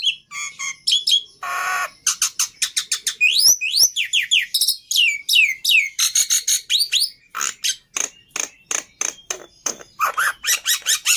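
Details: Black-winged myna singing energetically, with loud rasping noise bursts, swift upslurred and downslurred whistles in quick series, and dense chattering notes that run on continuously.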